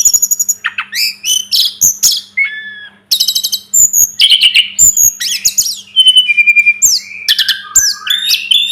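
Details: Sunda robin singing for a training recording: a rich, rapid run of piercing chirps, rattling trills and falling and rising whistled slurs, with one brief pause near the middle, over a faint steady hum.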